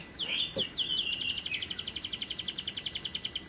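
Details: Lovebird long trill (ngekek) used as a lure to make other lovebirds sing: a few sweeping chirps, then a steady, very fast high-pitched pulsed trill running to the end.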